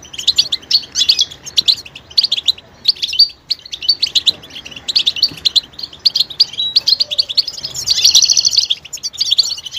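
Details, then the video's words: Mating-readiness calls of a European goldfinch, meant to get silent males singing: quick high twittering chirps in irregular bursts separated by short pauses, ending in a denser buzzy trill against a quiet background. "علاج سكوت الحسون بتبتة 💯💯 تحفز الحسون على التغريد والهيجان والجهوزية"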